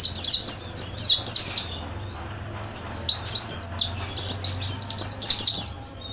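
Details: High, fast, chattering warbles from a mountain white-eye singing a master song for training, in two bursts around a short pause, with a faint low drone throughout.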